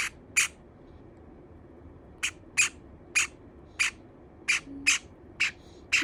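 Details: A pet Java sparrow calls loudly, probably complaining about a companion Java sparrow nibbling and preening its feathers: short, sharp, high chipping squeaks, about nine over six seconds, often in quick pairs, with quiet room noise behind.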